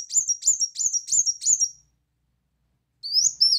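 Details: A brown-throated sunbird, heard as a tutoring song with loud 'shot' phrases. A fast string of high, buzzy, repeated notes about three per second fades out, then after a pause come rising thin sweeps.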